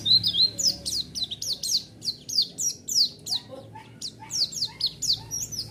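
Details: White-eye song used as a lure to provoke a response from other white-eyes: rapid, high, thin descending whistled notes in quick, slightly irregular succession, with low background hum.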